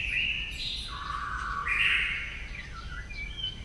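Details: White-rumped shama singing at morning voice training: rich fluty whistles that step down, then swell upward again, with softer notes trailing off, against a hissing background.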